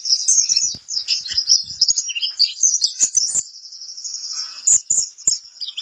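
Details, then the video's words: High, rapid warbling twitter from a pleci kapur white-eye, a song-training recording; the chatter runs on with brief bright whistled accents and a softer passage toward the end. "suara burung pleci kapur"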